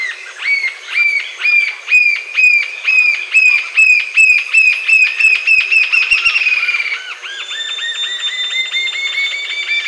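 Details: Green-tailed jacamar song, a long run of bright arched notes repeated about twice per second, growing quicker and closer into a rolling trill before breaking into a looser series of higher notes.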